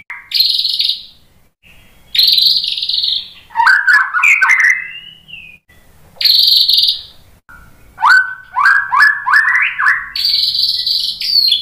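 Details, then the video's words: White-rumped shama lure song to make other shamas join in: loud, harsh, high buzzy bursts alternate with rich, fluty, rising whistled phrases and quick chattering runs. The whole song is varied and energetic. "suara MURAI BATU Untuk Memancing BUNYI biar ikut GACOR NGEPLONG"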